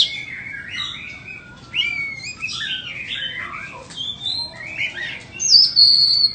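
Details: Song of a white-rumped shama for sale: a flowing string of clear whistled notes and slurred phrases, ending in a loud, high, sustained whistle.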